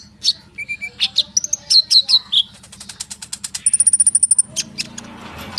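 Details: Konin bird singing rapidly to lure sunbirds into calling: varied high chirps and whistles, a steady run of evenly repeated notes, and a thin high trill near the end against light background noise.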